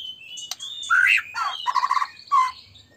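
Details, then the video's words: White-rumped shama song played to stir other shamas to sing: thin high whistles, then loud slurred notes and a harsh buzzy jumble of phrases, ending in a falling whistle. "murai batu gacor AMPUH buat PANCINGAN murai batu agar bunyi JADIKAN burung murai LANSUNG EMOSI"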